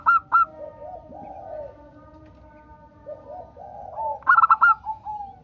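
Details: Local zebra dove song recording meant to coax other doves into singing: a pair of short ringing notes at the start, soft low coos, then one quick rolling burst of clear staccato coos near the end.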